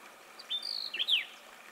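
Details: Arabian golden-winged grosbeak in the Qara Mountains, Dhofar, Oman gives a brief high whistled call: a sharp note, a slightly buzzy level whistle, then a quick downward slur, all within a second.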